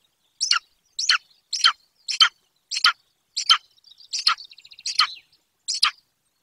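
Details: Golden eagle nest in a hidden wild corner of Bucovina, recorded by a nest webcam: nine crisp, descending chirps about every 0.6 seconds, with a brief soft trill from another bird midway.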